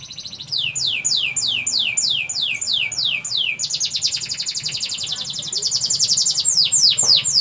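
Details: Canary singing loudly: a series of high, fast descending whistled sweeps about every third of a second, then a long rapid buzzy trill, ending in more downward swoops.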